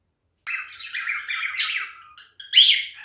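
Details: Warbling male cockatiel showing mating behaviour: a rambling phrase of buzzy chirps and slurred whistles, then a brief break before a loud, sharp rising squeak.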